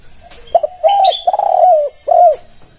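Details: Tekukur (spotted dove) song aimed at making other doves respond: a brief clipped note, two long mellow coos, the second rolling and tremulous, then a falling end coo, with faint high chirps from another bird.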